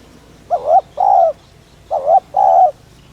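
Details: Spotted dove giving its 'thúc' style coo, meant to excite and lure other doves. Two phrases, each a brief rising-falling note followed by a longer steady hollow coo, come about a second and a half apart over a quiet background.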